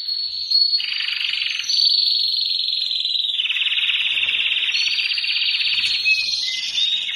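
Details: Belgian canary, a white canary, singing a long, unbroken run of fast, high, bright rolling trills and buzzy notes, switching pitch every second or two; its song is said to push the female into mating posture.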